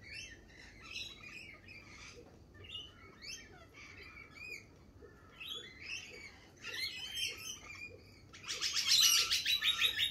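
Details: Lorikeets in spring at a lorikeet cafe chatter in a busy stream of shrill, screechy chirps and squeals, several birds overlapping, building to a harsh burst of screeching near the end.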